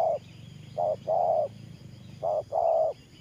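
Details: Thổ pha cooing from a decoy spotted dove used for trapping: two soft coo pairs, each a short hoot then a longer smooth one, over a low hum.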